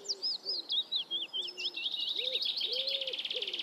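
Black Redstart song: a quick run of high thin whistles breaking into a dry, crackling, scratchy rattle, with faint low cooing tones beneath.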